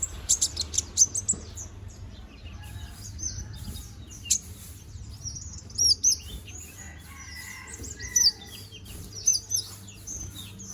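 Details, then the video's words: Young, balding konin bird regrowing feathers, singing: quick high chirps, then looping, warbled, slurred notes and squeaky twitters, with steady faint background hiss. "BURUNG KONIN BOTAK GACORR NGOBRA!"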